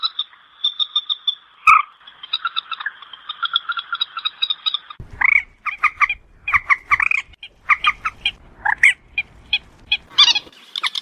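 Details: Common moorhen (trích rẽ, quốc mốc) calling as a night lure. It opens with a steady run of short, evenly spaced piping notes, then a click, then denser, irregular croaking clucks that grow louder toward the end.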